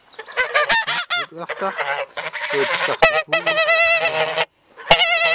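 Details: Noisy geese on a farm honk loudly: a clamour of harsh, wavering, overlapping honks with sharp knocks and a brief silent gap near the end.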